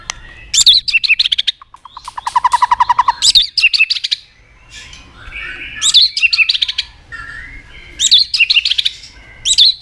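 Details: Lure recording of white-rumped shama song with sharp fill phrases: loud bursts of rapid high chattering notes alternate with a low, fast stuttering trill and warbled whistles between pauses.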